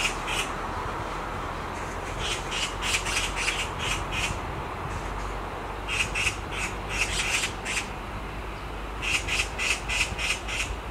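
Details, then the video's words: Black magpie perched on a tree branch gives harsh, rasping screeches in quick ragged bursts of several notes, with steady low rumbling background noise. "Black Magpie Screams"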